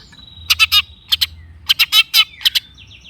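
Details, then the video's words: Long-tailed shrike giving grating, scratchy notes in small clusters over a thin steady whistle, ending with a short high twitter; a lure recording for prompting shrikes to sing. "kicau cendet gacor pancingan cendet stres macet bunyi JADIKAN cendet NYAUT GACOR"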